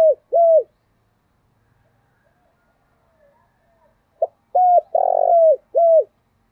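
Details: Spotted dove cooing to stimulate newly caught doves into the thổ voice: two falling coos open, a pause with faint soft notes, then a full phrase of clipped note, hoot, burry rolling coo and final drooping coo.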